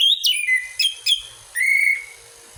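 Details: Song of an orange-headed thrush, played to spur other birds to sing: a sharp downward whistle, two short clipped notes, then a long, steady, clear whistled note.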